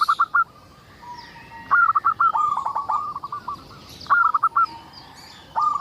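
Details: Lively local zebra dove singing to lure others of its kind into song: quick runs of staccato, bubbling coo notes in tight clusters, one longer stuttering phrase in the middle, soft high twittering of other birds in the background.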